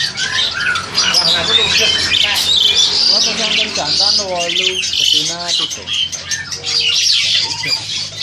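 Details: Captive crested myna, about seven to eight months old, kept for breeding in Indonesia, recorded on an old Samsung phone; harsh, dense squawks and high chattering notes run continuously, with brief human speech mixed in.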